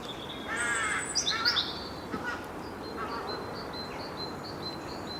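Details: Rooks at a treetop rookery in March, with young in the nests and adults flying in with food: harsh hoarse caws over steady background noise, with a thin repeated high note from another bird.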